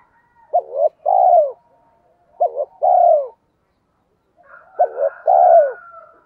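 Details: Spotted dove in the 'giọng thổ' voice, a calling sound meant to prompt decoy birds quickly: three evenly spaced phrases, each a quick double hoot leading into a longer rounded coo that slides down at the end.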